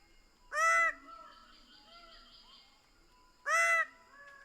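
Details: Two strong, nasal, honk-like calls from a Greater bird-of-paradise about three seconds apart, with softer bird notes audible in between.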